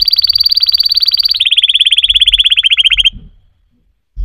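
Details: Singing canary holding a rapid, rolling trill that drops slightly in pitch midway and continues as fast repeated notes before stopping; a faint low knock is heard near the end.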